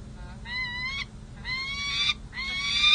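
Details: Peregrine falcons pair bonding after the breeding season at a San Jose city hall nest ledge, July 2024: three drawn-out, slightly rising, nasal wailing notes, each around half a second long.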